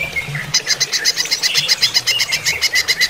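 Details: Greater green leafbird singing during running-water therapy, a soft whistle followed by a steady run of sharp repeated notes, roughly four per second, mixed with brief slurred whistles.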